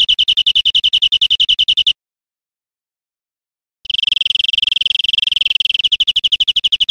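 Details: European Greenfinch, Spain, 2013. One rapid trill is followed by silence, then a faster, almost buzzing run of notes that slows back into a distinct rattling trill.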